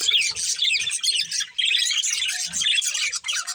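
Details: Budgerigars of a breeding pair warbling and chirping nonstop, a dense mix of squeaky whistles and buzzy chatter, with faint low thumps underneath.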